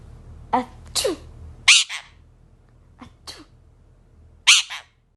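A sun conure sneezes several times, each a sharp, hissy burst.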